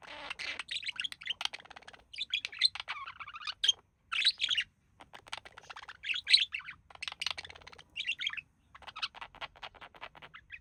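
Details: Relaxing pair of budgerigars, with the male mimicking human speech: continuous high, scratchy warbling chatter broken into quick bursts, mixed with rapid clicks and brief squeaky whistles.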